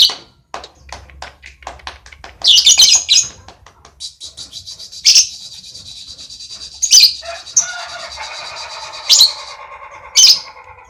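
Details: Lovebird in relaxed ngekek chatter: a run of quick clicks leads into dense, harsh high bursts, then a drawn-out buzzy rattle with squawks spaced about two seconds apart.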